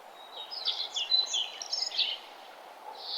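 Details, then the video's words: Birds singing at sunrise on a nature trail; a cluster of high, bright chirping notes rises and falls before fading into a quiet background hiss. "Nature trail with birds singing and the sun arising"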